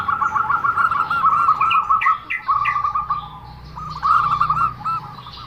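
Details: Zebra dove giving an unusual call: rapid trains of short, rolling cooing notes at a steady mid pitch, broken by brief pauses, with some higher chirps above and faint background noise.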